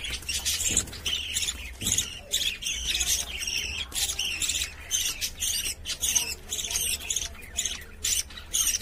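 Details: Budgerigars inside a cage chatter nonstop in dense, scratchy high bursts of squawks and chirps, several birds overlapping, with a low hum underneath.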